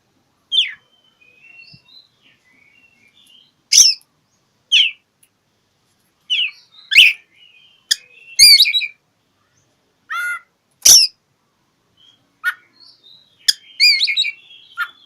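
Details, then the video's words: Oriental magpie-robin singing in search of a rival, a lure for silent birds: irregular sharp clicks, thin whistles and short trilled phrases separated by pauses of a second or two. "Kicau KACER cari LAWAN"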